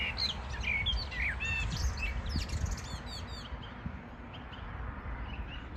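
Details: Morning birdsong recorded 14 June 2022: a quick burst of sharp, high chirps and trills in the first half, then fading to sparse faint notes over constant low background hum.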